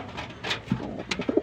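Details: Pigeon gives a few short, low, throaty coos close together amid scuffling and rustling in a small indoor space where pigeons are being paired.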